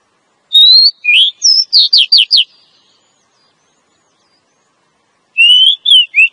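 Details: Female Oriental magpie-robin calling to attract a male, used to lure males in the forest: a quick run of about eight clear whistled and slurred notes, a long pause, then three more sweet whistles, with no other sounds.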